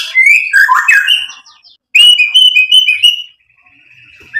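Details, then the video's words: White-rumped shama, a lively singer meant to provoke rivals: rich bursts of varied whistles and chattering trills, a pause, then a long steady whistled note with rapid flutter and a final short phrase. "MURAI BATU GACOR MEMANCING EMOSI JADI NYAUT BUNYI BONGKAR MATERI ISIAN"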